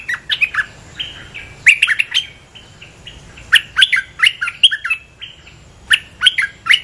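A bulbul gives bursts of bubbly, chattering notes in four quick bouts, each lasting about half a second, with short pauses between.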